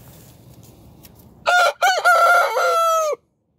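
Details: Cock-a-doodle-doo from a rooster greeting the morning: after a low murmur of background noise comes a loud crow of about 1.7 seconds, short clipped opening syllables and then a long, level, strongly harmonic note that stops abruptly.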